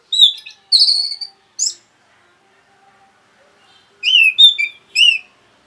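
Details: Rapid provoking song of an orange-headed thrush: a loud burst of high slurred whistles and buzzy notes in the first two seconds, silence, then a second cluster of rising, downslurred whistles near the end.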